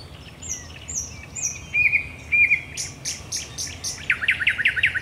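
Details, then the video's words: At night at Raszyn Ponds, 10 May 2021, a thrush nightingale sings faint descending whistles, short warbled notes, a burst of loud clicks, then a quick series of repeated rattling strokes. "Nocny śpiew słowika rdzawego"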